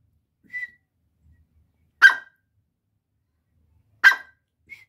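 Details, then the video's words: Grey francolin calling: two loud, harsh, ringing notes about two seconds apart, with soft short whistles before and after; otherwise quiet. "Teetar ki Awaaz | greyfrancolin | Partridge sound"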